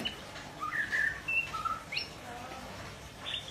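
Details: Immature white-rumped shama trying out its song with scattered short whistles and quick upward sweeps at varying pitches, fairly soft and spaced irregularly over a quiet background.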